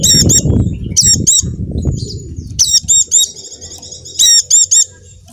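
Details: Lure recording of a Javan dakun white-eye meant to make non-singing caged birds join in: clusters of piercing high notes in quick groups of two to four, with a lingering thin trill and some low thumping at the start.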